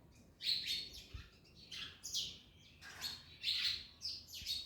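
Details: Parrots at an orange give loud grating chirps in closely spaced groups, with faint low clicks behind.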